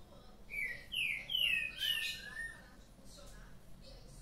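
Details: Green-winged saltator, kept birds waking up lively in the morning, singing a run of loud, clear, slurred whistles that sweep downward, about four phrases in quick succession, then softer distant whistles.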